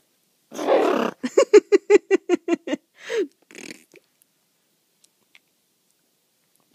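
A blue-and-yellow macaw gives a rough, blatting burst, then a quick run of about ten sputtering pops and a final drawn-out raspberry, like imitated flatulence.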